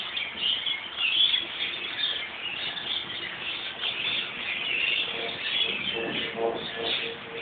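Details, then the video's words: A flock of lorikeets gathered at the top of a gum tree in a central city location in Australia keeps up constant, overlapping shrill, screechy chirps in light rain, with a soft patter of rain beneath. "Lorikeets in light rain singing"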